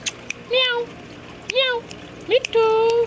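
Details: Indian ringneck parakeet talking in a happy mood, copying a cat's meow: three drawn-out, nasal, bending notes, the last one long and level, with faint clicks between them.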